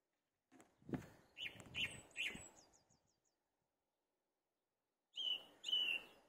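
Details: Song thrush perched atop a tree delivering a run of three rapid repeated whistled notes, then a pause of about two seconds before two further clear phrases.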